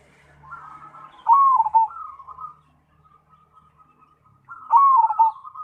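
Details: Zebra dove (Cemani perkutut) in lively song: a purring trill rises into a strong descending gurgled coo, trailing into soft cooing before the loud phrase returns, with a light low hum.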